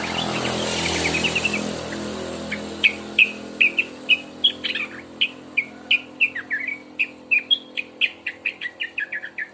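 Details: Two-month-old young sooty-headed bulbul starting to sing: a rapid series of short chirpy notes around mid pitch, roughly three per second, some downslurred, with a hum of traffic and a bright noisy burst at the start.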